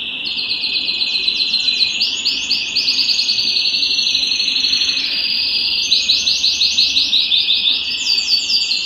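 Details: Excited canary singing at home, wanting to mate, in a song-training recording: dense continuous song of rapid repeated high notes over a sustained rolling trill, bursts of quick phrases throughout.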